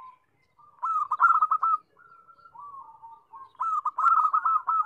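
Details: Zebra dove (perkutut) song: a brief coo, pause, then a rapid series of bubbling trilled notes, softer level coos in between, and a second lively trilled burst; quiet surroundings.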